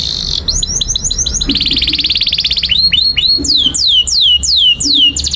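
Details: Tutor song of a canary for young canaries: a buzzy note, a quick series of short sweeps, a long rolling trill, then loud downward-swooping whistles repeated about every half second.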